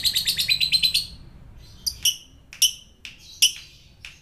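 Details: Fighter lovebird, kept as a pet in Indonesia, used to provoke rivals: a second of rapid high chattering, then several separate sharp, piercing chirps.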